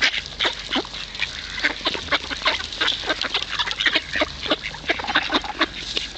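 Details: While being fed on the Kirchsee in Preetz, hungry ducks give a continuous flurry of short, reedy quacks, many birds calling at once in an uneven, busy rhythm.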